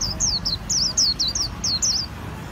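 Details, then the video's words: Japanese white-eye, Vietnam, singing líu style: a continuous series of about ten piercing, high whistled notes sliding downward, closely spaced and clear above faint background noise. "KHUYÊN LÍU HAY NHẤT 2019"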